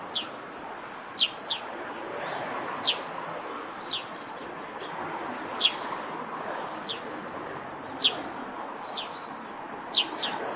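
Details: Eurasian tree sparrow singing near its nest on a roof, a lively series of high, sharp chirps and quick double notes at an uneven pace, with steady background murmur.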